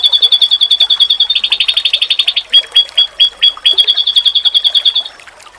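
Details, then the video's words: Oriental white-eye (pleci) singing a masteran recording said to trigger other pleci to respond: a quick run of high clear notes, then thicker buzzy notes, several separate chirps, and another fast trill that fades out at the end. "Sekali Lawan denger,Pasti Burung Pleci lain Auto nyaut"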